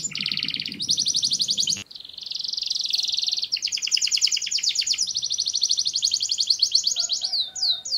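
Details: Canary song, described as for stimulating mating: fast trills of repeated notes high in pitch, shifting between rapid rattling phrases and smoother rolling trills, with a brief pause near the middle and a low hum underneath.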